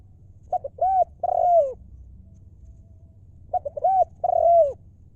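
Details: Spotted dove giving a 'lio'-style decoy call used to lure wild doves. Two full phrases about three seconds apart, each with quick short notes leading into two longer, rounded, falling coos.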